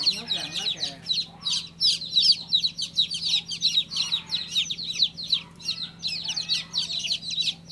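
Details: Chirping baby chick: a rapid, uneven series of bright, shrill peeps filling the whole stretch, over a soft low hum.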